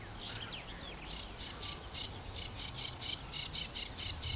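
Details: Angry sedge warbler singing right at the microphone on its bush: a few thin slurred whistles, then a fast run of harsh, rasping chattering notes, about five a second.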